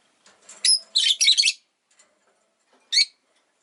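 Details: A pet rosy-faced lovebird chirps: a shrill squeak, then a run of grating, high chattering notes for about half a second, a pause of over a second, and one more sharp chirp.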